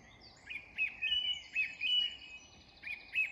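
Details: Dusk song of a song thrush in English woodland: short rising-and-falling whistled phrases, the same figure repeated several times with brief pauses, above faint background noise.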